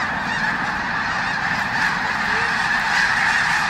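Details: Snow goose (Anser caerulescens) flock at Bosque del Apache taking off together: countless nasal, yelping honks overlapping into a continuous roar.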